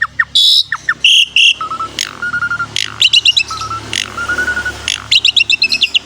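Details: Asian pied starling in energetic full song rich in varied fill-in phrases: short whistled notes, clear steady tones near the middle, and rapid high buzzy trills, over a steady low background hum.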